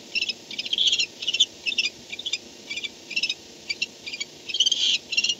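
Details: Barn owl at the nest at 4:38 am on 2-10-16, night camera recording as an adult arrives; busy high, scratchy twittering in quick bursts throughout, with louder dense chatter at start and finish.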